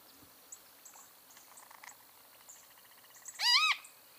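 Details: Great kiskadee (bem-te-vi) giving one loud, harsh, harmonic-rich call of rising-and-falling arched notes near the end, after faint scattered high chirps from other small birds.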